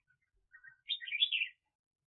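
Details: A red-whiskered bulbul used as a trapping decoy in 2021 gives a couple of soft low notes followed by one quick, bright, warbling high phrase lasting about half a second, with silence around it.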